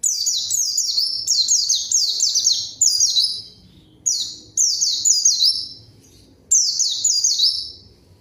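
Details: Rival-calling white-eye song: dense, rapid sequences of thin, high notes dropping in pitch, delivered in short bursts with brief pauses, almost no other sound.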